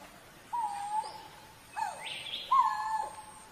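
Coral-billed ground cuckoo giving three low, mournful moaning notes, each held about half a second and ending with a slight upward inflection.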